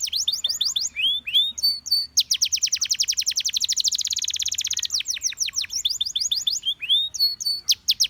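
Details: A Gloster canary, singing to encourage its companions, delivers slurred whistles leading into a long, rapid, rising-and-falling high trill, followed by more quick swept notes.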